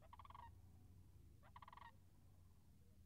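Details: Two rattling, rolling Sandhill crane calls, about one and a half seconds apart, near a marsh with frozen puddles on March 26th, 2019; a low rumble runs underneath.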